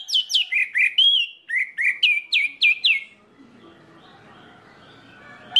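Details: Orange-headed thrush song used as a lure to get other birds of its kind singing: a run of about nine loud, clear, downslurred whistled notes in quick succession, then quiet background hiss.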